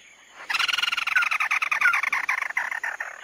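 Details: Red-eyed bird (chim mắt đỏ) in tí nỉ song: after a brief quiet start, a rapid, loud, rattling chatter of buzzy pulsed notes carries on to the end.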